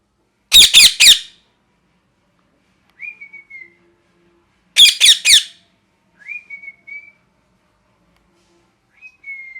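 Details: Parrot alternating bursts of three loud, harsh, grating squawks with softer, short whistled notes that rise and then flatten. The pattern repeats about every four seconds.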